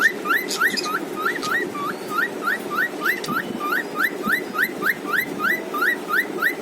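A cockatiel whistles a quick run of bright, rising notes, about three per second, over a low indoor hum.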